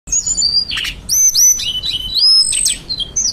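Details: Hill Blue Flycatcher, kept as a cage bird and known in Java as Tledekan, Sulingan, Anis Binbin or Cacing Awi, singing a run of clear high whistled phrases, some sliding down and others rising, with short sharp notes between them.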